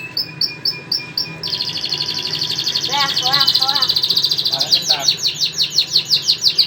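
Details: Two canaries, a white one and a crested one, singing: a few clipped high chirps, then a long rolling trill that speeds into rapid, pulsing repeated notes, with brief lower swooping phrases mixed in.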